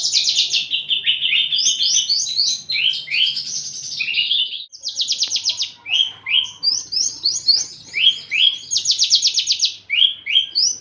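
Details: Javan bush lark in breeding condition, wanting to mate, shown by frequent wing-quivering, a raised head crest and courting other larks while growing aggressive; a rich, varied high song of buzzy trills, rapid rattles and sliding notes, with mimicked fragments.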